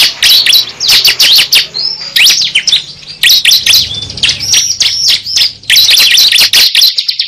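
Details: Lure recording of the cible bird: rapid runs of piercing high chirps and short whistled slurs, grouped in bursts a second or two long with brief gaps between them.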